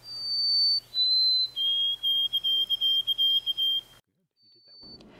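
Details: A North American White-throated Sparrow sings pure whistled notes: a high held note, a slightly lower one, then quick paired notes on a lower pitch, seemingly the newer doublet-ending song variant that has spread across North America.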